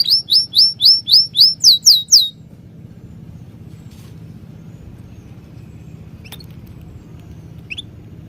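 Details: A bird chirping: nine quick rising-falling whistled chirps in two seconds, then near quiet with a low hum and two faint distant upward chirps.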